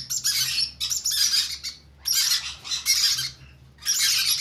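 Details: Hand-fed conure chicks begging: loud, grating, high squawking bursts in a rough rhythm, roughly half a second to a second each, with short silent gaps between.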